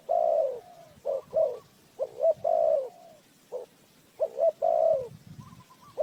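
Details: Mellow spotted dove coos serving as a trap lure: a long opening coo, then clusters of clipped notes and drawn-out coos, with a fainter dove calling in the background.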